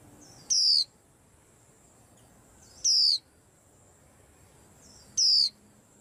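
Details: White-eye calling amid a rack of birds stirred into commotion: three loud, high, thin whistled notes, each sliding downward, spaced about two and a half seconds apart, with faint low background noise between them.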